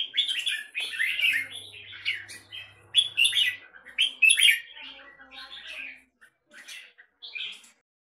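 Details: Caged red-whiskered bulbul in Singapore producing choppy bursts of bright chirps and warbles, fading to a few separated notes near the end.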